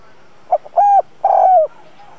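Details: Caged decoy spotted dove cooing to attract wild doves. A quick soft pickup note followed by two sustained, hollow coos, the second longer and gently falling.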